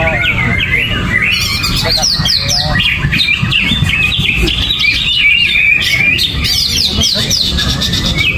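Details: Greater green leafbird singing gerabakan style, cage cover off and no banana: bright, high, rapid whistled sweeps and trills, densely packed and unbroken.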